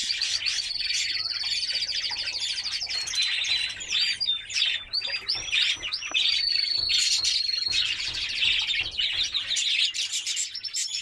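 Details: White canary singing a training song meant to stimulate females for mating: bright, continuous high warbling with long rapid trills and sustained whistled rolls, steady and loud throughout.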